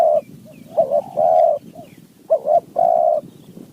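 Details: Wild spotted dove from high mountain forest, calling in response to a decoy, its style described as four-three-two-one 'kuk' notes when throwing and one-two 'kuk' when calling. Deep hollow coos come in short clipped notes and longer drawn-out phrases, over a low rumbling background.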